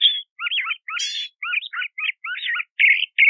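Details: Crissal thrasher singing continuous, varied warbled phrases of rich slurred notes, one with a high buzzy overtone, ending in two harsh burry notes.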